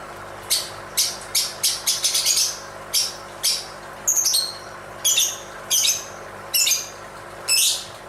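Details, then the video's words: Shrill, buzzy high chirps from a dancing lovebird, first in a rapid stuttering run of about ten notes, then slower spaced calls with whistled tones, over low steady hiss. "Suara indah burung lovebird sambil menari nari"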